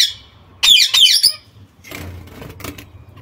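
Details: Young zebra finches with their mother, captive: a few loud nasal, buzzy honks around the first second, then quieter rustling and faint scratchy noises in a small room.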